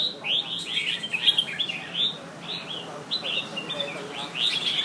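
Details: Two caged red-whiskered bulbuls compete against each other in a song duel in Nha Trang, Vietnam. Bright, quick warbled phrases come in a steady run of short bursts, some rising and some falling, with faint human voices in the background.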